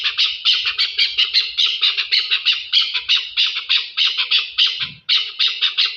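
A chukar partridge gives harsh, grating chuck notes in a fast, uneven run of three or four per second, with a brief low thump near the end.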